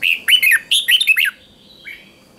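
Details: Chào mào, the red-whiskered bulbul, sings a morning 'ché' training song: a short opening note, then a rolling phrase of bright, slurred whistles, and a faint trailing note.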